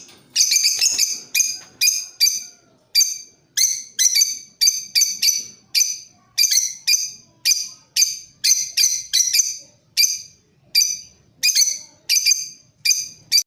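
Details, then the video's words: Lovebird of the Creamino variety giving a long lure chatter for training other birds, around twenty-five rapid rasping chirps in an uneven but continuous series, sometimes doubled, over a quiet background. "Suara Pancingan Love Bird Paud Creamino"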